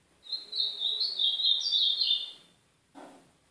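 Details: Ultramarine grosbeak, the northeastern Brazilian form, played as training song to warm up a pet bird: a fast, high warbled phrase of slurred whistles lasting about two seconds, followed by a brief lower sound.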